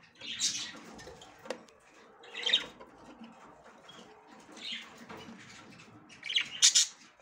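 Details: A female budgerigar checks the nest for the first time. Four separate bursts of scratchy, high chirps are spaced roughly two seconds apart, with faint low rustling in the background.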